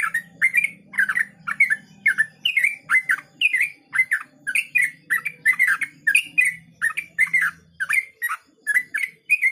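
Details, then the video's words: Fast 'ropel' song of a yellow-vented bulbul, named as a male: a steady stream of bubbling, warbled notes repeated rhythmically, roughly two phrases each second. "ropel syahdu"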